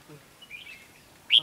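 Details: A red-whiskered bulbul gives a soft warbling phrase then one loud bright whistled note, during trapping with a decoy bird near bamboo bushes, a male singing from low in the bush, faint human voices behind.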